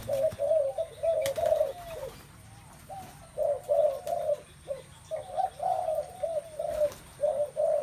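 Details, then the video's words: Spotted dove calls in a place thick with them: chains of low, smooth coo notes. A short quiet gap comes in the middle, then the cooing resumes more densely, over a steady hum. "tiếng chim cu gáy"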